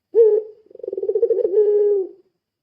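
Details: Short coo from a puter pelung dove used as a lure: a sharp opening note, a brief pause, then a rapid rolling series that settles into a smooth low hum and fades.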